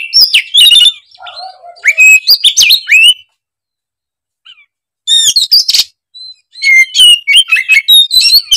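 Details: Oriental magpie-robin (kacer) singing hard in gacor style with isian material: fast whistled notes and chattering in a three-second run, including a lower descending slur, then near silence, then two more loud varied bursts of whistles and rattles.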